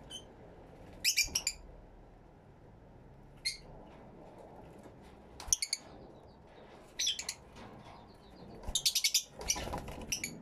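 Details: Fischer's lovebirds in an aviary, recorded with two external microphones: short bursts of sharp, high chirps and twitters come in clusters separated by quiet gaps, with several bursts close together near the end.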